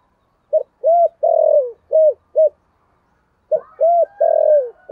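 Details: Lure cooing of a spotted dove in the deep 'thổ' voice, to draw wild birds in. Two phrases of hollow coos, each with short arched notes and a long sliding note, separated by about a second of silence.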